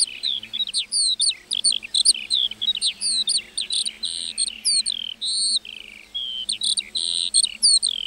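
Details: Meadow lark's rich, rapid song of high, sharp chirps, rising slurs and warbled trills strung together nonstop, bright and loud above a faint low hum.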